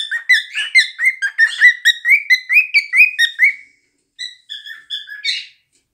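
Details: Pair of caged cockatiels singing in a room, a fast run of repeated chirping whistles, about two per second, with rising inflections, then a brief gap and a few softer drawn-out whistled notes closing the phrase.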